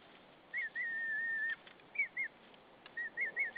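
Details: On a Saunja, Estonia nest, March 2013 evening, a female white-tailed eagle calls to her hay-carrying mate: a long level whistled note, then short arched yelps in rapid series, with light rustling.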